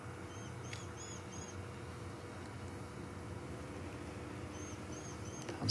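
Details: Rattling Cisticola alarm-calling at a stalking predator near a termite mound during an evening safari drive in South Africa, thin, high chipping notes in quick bursts of three or four, pausing between bursts, over a steady low engine rumble.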